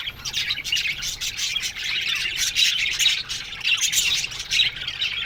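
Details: Morning chorus of a budgerigar colony kept in an aviary, many birds chattering at once in a steady wash of high, scratchy twitters and chirps with small peaks of louder squawks.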